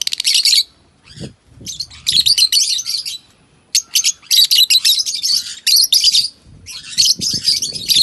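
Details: African lovebirds kept as pets in Kannur, several birds calling together in dense bursts of shrill, high chattering chirps, nearly continuous with brief pauses, over faint low thumps.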